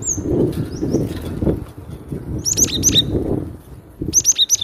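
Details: Cinereous tit singing loudly: two bursts of clear, high, rapidly repeated whistled notes, each note sliding down. The bursts sit over a steady low rumble and some rustling noise.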